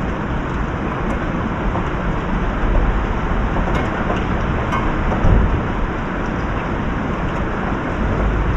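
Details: Steady, dense hiss like heavy rain or traffic fills the recording, with a few faint clicks and no animal calls.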